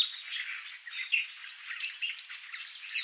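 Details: Taiwanese subspecies of brown-eared bulbul on Yonaguni Island gives busy, overlapping high chirps and squeaky notes at an uneven pace, over a steady background hiss.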